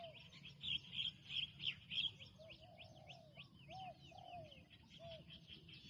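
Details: Spotted dove, a newly trained bird on its first training outing, gives soft low rounded coos in short phrases, largely overlaid by busy high chirping and twittering from other birds outdoors.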